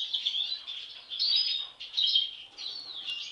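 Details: Sibling European goldfinches, two with an abnormal mask from birth, give short bursts of quick liquid twittering, separated by brief dips in loudness, high-pitched and chattering throughout.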